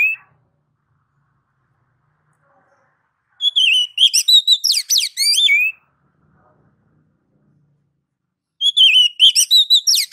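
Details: Oriental magpie-robin in ngeplong song: a faint note at the start, then a bright run of whistled, trilled notes lasting two seconds. After a long silence, a similar phrase begins again.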